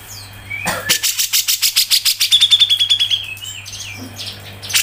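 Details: Cucak jenggot, or grey-cheeked bulbul, in tight 'ngepik' style: a rapid, evenly spaced series of sharp chattering notes runs into a thin high whistle, then a few short whistled calls, over a constant low hum.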